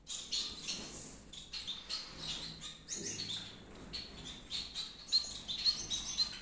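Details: In a Peshawar breeding aviary, captive Gouldian finches give a steady run of soft high chirps, overlapping from several birds, ending in a few clearer thin whistles.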